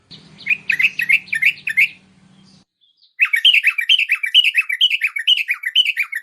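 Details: Bulbul (merbah) chatter used to attract wild bulbuls: rapid runs of bubbly, down-slurred notes, a short pause with a low hum, then a longer lively phrase of warbled, falling notes.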